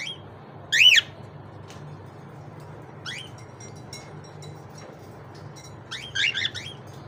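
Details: Cockatiel giving three short calls: a loud, bright, rising-then-falling note near the first second, a fainter one around three seconds, and a quick wavering pair near six seconds, over a steady low background hum.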